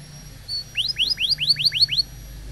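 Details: Training song for young canaries, from a canary: a neat series of seven bright upslurred whistles, each rising sharply, delivered at a quick even pace over a faint low hum.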